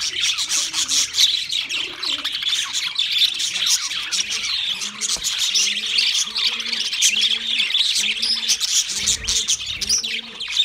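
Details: Several pet budgerigars singing a busy, unbroken warble of rapid chirps and twitters, over a lower two-note hooting sound repeated roughly every second in the background.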